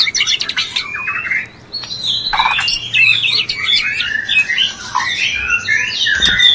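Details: White-rumped shama mating sound, played to raise breeding urge in a male. A continuous varied song of sharp clicks, high whistles and quick downslurred phrases.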